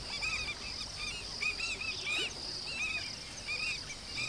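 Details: Alarm calls of African skimmers guarding chicks a few days old against a monitor lizard: clipped, bent yelping notes repeated about every half second by several birds, over a constant high whining drone.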